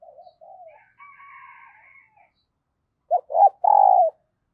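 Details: Faint distant coos and a buzzy call from other doves, then a caged decoy dove answers with two clipped coos and one long, loud, falling coo, calling new wild birds.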